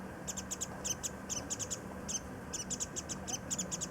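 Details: Warbling white-eyes busily flitting through early cherry blossoms for nectar at Kitago Station, Nichinan, Miyazaki, Japan; bright, high chip notes in rapid clusters of two to four, repeated throughout over faint hum.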